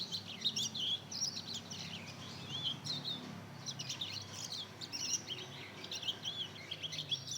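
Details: Young mozken hybrid, two months old, practising its first song. A busy, jumbled high twittering of quick squeaky notes and short trills comes in bursts with brief pauses, above a soft low hum.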